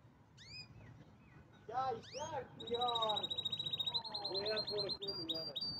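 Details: Canary song with fast rattling trills and high whistles rising above low voice-like sounds, a slurred note sequence opening before a steady rapid trill takes over.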